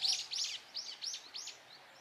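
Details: Brown-eared bulbul crying loudly as it comes to eat nectar from cherry blossoms in Japan: five shrill, arched squeaky notes, the first harsh and doubled, spaced about a third of a second apart, over a quiet background.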